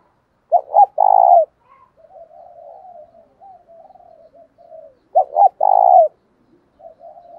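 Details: Spotted dove cooing to provoke a fight and to call: two bursts of deep, hollow coos, each a short double note then a longer rolling coo, with softer wavering coos between, in a quiet setting.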